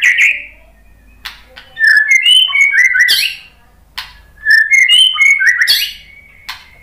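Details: White-rumped shama singing as a provoking lure for other birds: two phrases of clear, varied whistled notes that rise and fall, each ending in a sharp upward flourish, with silent gaps between.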